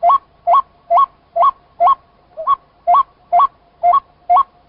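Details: White-breasted waterhen repeating its abrupt low-then-high stepped note roughly twice per second, ten notes with one softer, lower note midway, no other sounds.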